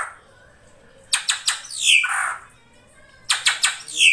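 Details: Ashy drongo, krantil saeran type, in a lure recording: two bursts of quick clicks, each followed by a drawn-out, down-sweeping harsh call over faint background hiss.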